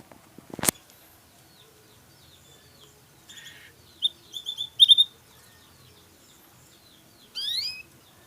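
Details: Songbird, said to descend from a known bird and to be a future contest champion: scattered high, short chirps and brief twittering bursts, then a rising chirp near the end, separated by long quiet gaps, with a sharp click early on.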